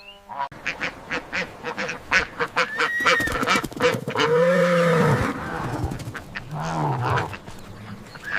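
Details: An African goose, with its prominent knob and dewlap, foraging on a hillside, gives loud, harsh honks: first a quick run of short blasts, then longer nasal calls with a rising-falling bend.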